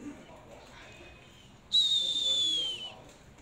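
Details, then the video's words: Hand-raised Oriental magpie-robin giving one clear whistled note that glides gently downward and lasts about a second, after a quiet stretch with faint background murmur. "chòe than hót tốt"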